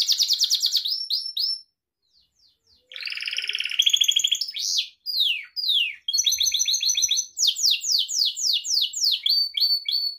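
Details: Gloster canary song for teaching pet canaries: a rapid trill, a silent gap, a low buzzy rattle, then sweeping slurs and a long run of repeated downslurred chirps.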